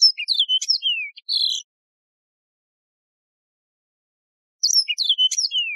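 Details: Song of the yellow-fronted canary, or Mozambique serin: a rapid run of high chirps and downward-sliding whistles lasting about a second and a half, a silent gap of three seconds, then a second similar twittering phrase ending in a falling slur.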